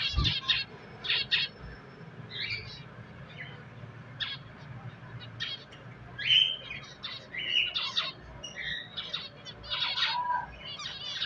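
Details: Pet finches chirping busily, with dense clusters of sharp high tweets and a few clear whistled notes, one or two per second across the whole stretch, in a quiet indoor setting.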